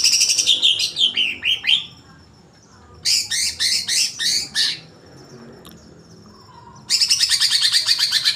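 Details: Agitated greater green leafbird giving quick chattering and downslurred notes, a series of six sharp chips, then a fast buzzy rattle after a silent gap.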